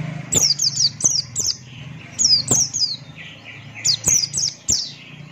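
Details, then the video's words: Lively 'ngalas'-style song from a Buxton's white-eye: clusters of three or four high, sharply falling whistled notes separated by softer warbled phrases, with a constant low electrical hum behind. "Burung Pleci Buxtoni Gacor Ngalas Buka Paruh"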